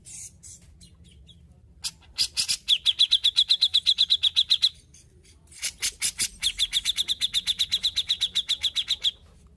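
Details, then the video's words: Grey-cheeked bulbul singing actively: two long phrases, each opening with rough, scratchy bursts and running into rapid strings of sharp high chips, about four per second, separated by a short pause. "Terapi Cucak Jenggot Gacor"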